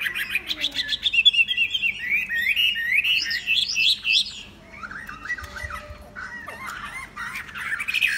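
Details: Loud, varied song from a tame Chinese hwamei: tumbling whistled phrases shift pitch, pause briefly, then resume with lower warbles and rising notes.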